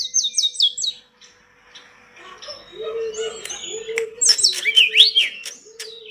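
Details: Pied bush chat (tledekan gunung) song used as master song for training pet birds: quick high descending whistled notes, a pause, then a jumble of sharp twittering and buzzy notes, with a lower steady whistled tone repeating beneath.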